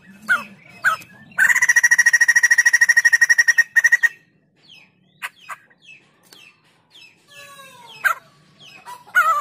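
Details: White-crested laughingthrush in energetic song: two short calls open, then a loud rapid rattle of some twenty-five ringing notes lasting nearly three seconds, then assorted sharp chirps and clicks over a soft low hum.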